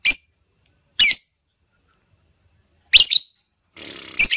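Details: Female lovebird calling to prompt another lovebird to sing: four short, shrill, harsh chirps in quick bursts. Two are about a second apart, then a pause, then two more near the end over a faint raspy hiss.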